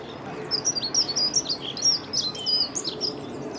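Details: Dunnock singing at close range beside the Long Water, a fast tumbling jingle of high, thin, squeaky notes lasting about three seconds, steady and unbroken over a quiet low background hum.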